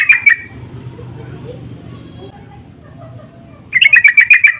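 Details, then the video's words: Sooty-headed bulbul giving an insistent lure call to bring in other bulbuls: a brief chattering fragment opens, then a quiet stretch, then a closing burst of about eight rapid, harsh, evenly pitched notes. "Pancingan dan panggilan burung trucuk saling bersahutan❗suara ngotot"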